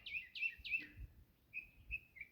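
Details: One of a couple of mockingbirds in Jamaica sings a bright chirpy phrase three times in quick succession, then a few short whistled notes. These mockingbirds copy other birds' sounds and sometimes car alarms.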